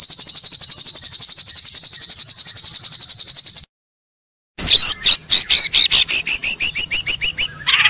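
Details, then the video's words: White-rumped shama master song for training, billed as top quality: a fast, even trill of high buzzy notes for over three seconds, a brief silence, then varied sharp chips and whistled slurs. "MASTERAN murai batu MASTERAN TOP BERKUALITAS"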